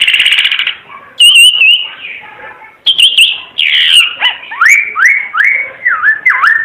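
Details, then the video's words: Bright Timor red-eyed bird song: a buzzy burst, a steady pure whistle, then looping up-and-down whistled notes repeated in a rolling rhythm. "Kicau Burung Ara UNIK Mata Merah Suara Gacor"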